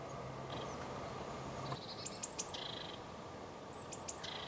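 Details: Eurasian blue tit (Cyanistes caeruleus) gives two quick runs of three very high, thin notes, each followed by a lower buzzy trill, over a steady outdoor hiss; recorded in Finland.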